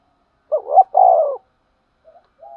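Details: Spotted dove kept as a decoy for trapping, calling: one loud coo phrase of a quick wavering note and a longer, fuller coo, then brief soft murmurs.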